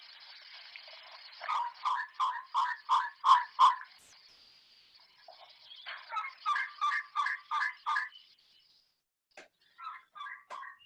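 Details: A male elegant trogon in Madera Canyon, Arizona, a bird that calls all day, gives hoarse, croaking notes, about three per second, in bursts of six to eight, over a faint steady hiss.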